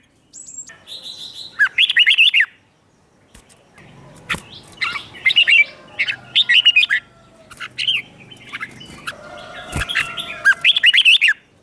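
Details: Red-whiskered bulbul provoked to sing competitively: lively bursts of warbled, swooping whistled notes repeated across the stretch, separated by short pauses, with sharp clicks and faint background chirping.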